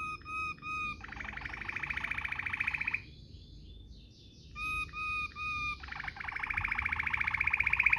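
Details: Waterslager-style domestic canary performing a rolling song used as a tutor recording for young canaries. Short stacked tonal notes alternate with long, rapid pulsed rolls. The singing pauses briefly mid-clip, then resumes with rolls that grow louder.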